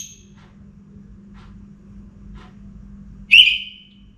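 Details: Orange-headed thrush in captivity, singing before morning: after a near-silent stretch with soft low hum, a single brief, loud whistle that jumps up and fades away.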